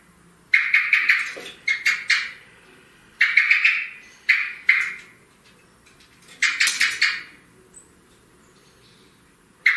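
Common blackbird giving harsh, scratchy chattering bursts in quick runs of several notes, repeated every second or two with short pauses between; no other sounds.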